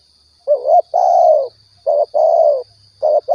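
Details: Spotted dove from Riau, recorded as a hunting lure: two close coo phrases, each a rising double note then a long falling coo, and the start of a third, with a faint steady high tone.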